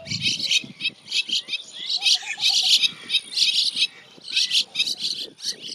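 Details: Bank myna calling in a neighborhood of India's northern plains: continuous raspy, chattering chirps in short bursts, irregularly spaced, with brief faint soft notes in the background.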